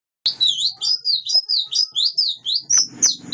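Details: Wild-caught white-eye singing: a rapid string of high, thin chirping twitters, bright warbled notes tumbling up and down in quick succession with a short rustle near the end.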